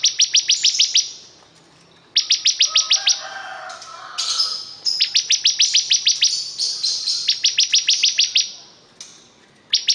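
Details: ['Energetic bar-winged prinia song made of long, fast series of shrill repeated notes, some runs over a dozen long, with a brief buzzy interlude.']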